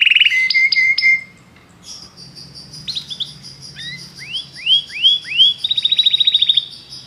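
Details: Song of a Belgian canary: short high trills and whistles, then a series of upswept slurred notes about every third of a second, ending in a rapid bright trill.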